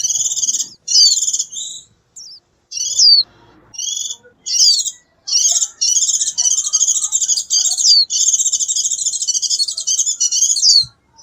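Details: A white-eye calling to its flock in the wild: a high, rapid twittering warble of thin trills and sweeping whistles in bursts, then a longer unbroken stream of chatter.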